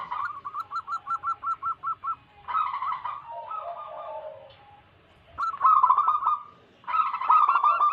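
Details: Local wild zebra dove song, used as a lure for wild doves and to restart doves that stop singing. About ten quick staccato notes open, then rolling trills and low purring coos, with loud bursts of overlapping cooing.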